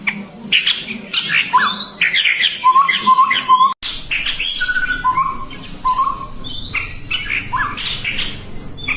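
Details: Chestnut-rumped babbler calls: short squawky notes and chirps mixed with steady whistled tones near one pitch, repeated irregularly, with a brief break midway.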